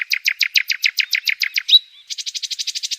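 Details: Small red avadavat singing, recorded 2 July 2021: a quick run of evenly repeated high chirps, a brief sharp whistle, then a faster burst of rapid chirps, with no other sounds.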